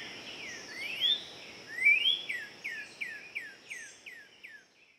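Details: Northern cardinal singing in Central Park, Manhattan, New York: two loud, swooping slurred whistles, then a quick run of about seven clear downslurred notes, with a steady high insect drone behind.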